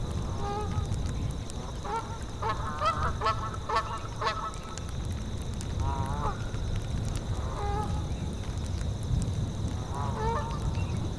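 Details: A group of geese in a tundra setting honks repeatedly. Quick overlapping bursts of nasal calls cluster early, then single honks follow at intervals. Wind rushes steadily beneath, with continuous high cricket chirping.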